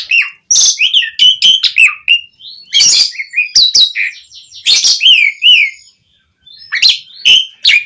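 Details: Asian pied starling, a lure for making other starlings respond, singing a busy mix of sweet whistles, clicks and loud harsh rasps, with a brief silence before closing chirps.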